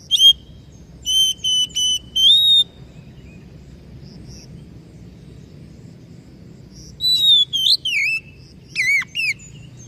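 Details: Oriental magpie-robin repeating four level whistled notes. After a long gap comes a lively run of swooping, slurred whistles. Constant low rumble in the background.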